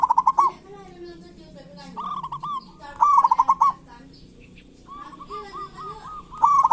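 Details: Local zebra doves in kerot and bekur song, intended to make silent doves sing: repeated short staccato trills and bubbling coo series, with lower wavering notes from other birds underneath.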